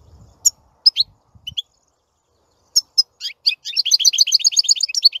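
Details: Singing European goldfinch: scattered short high chirps early on, then from about three and a half seconds a fast run of bright twittering notes repeated rapidly to the end.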